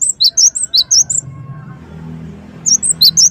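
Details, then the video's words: Cinereous tit (gelatik wingko) lure song to trigger answering birds: a quick series of high, sharp two-tone chirps, then over a second of near silence with a low hum, then the shrill chirping resumes. "Pancingan Gelatik wingko gacor |] burung yang dipancing pasti langsung Emosi Bunyi Nyahut dan Gacor"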